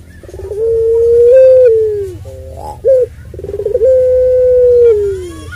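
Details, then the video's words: Extended coo of a puter pelung dove, used as bait to heighten other doves' excitement: a pulsed start swelling into a long, gently arched, hoarse note, then a quick hoot and a second long note that fades downward. "Puter Pelung Suara Panjang Ini"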